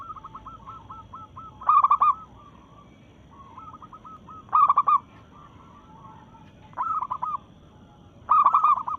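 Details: Local zebra dove in breeding condition, singing to challenge rivals: four loud rapid bursts of bubbling, stuttered coos spaced a few seconds apart, with quieter runs of cooing notes, apparently from another dove, in between.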